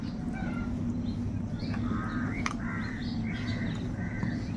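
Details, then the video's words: Many crows calling in the morning: overlapping harsh, drawn-out caws, some rising at the end, follow one another throughout over a steady low rumble of background noise. "Kaka sound and noises of crow birds | Many Crows crowing sounds and noises in the morning"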